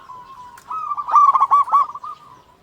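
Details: Single phrase from a local zebra dove singing steadily, played as a lure to prompt other zebra doves to sing: a faint even tone swells into a quick run of bubbling, hollow staccato coos.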